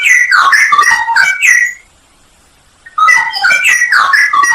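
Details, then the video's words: Straw-headed bulbul, called cucak rowo, in a full isian nembak masteran recording: a fast burst of loud, bubbling whistled notes, then about a second of silence, then another rapid outpouring of the song. "masteran cucak rowo full isian nembak"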